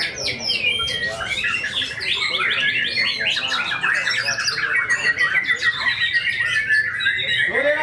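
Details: At an Indonesian song contest, a tame caged white-rumped shama pours out mimicry fill-ins: dense run of rapid chirps and trills, descending slurred whistles, continuous for eight seconds over background chatter of other birds.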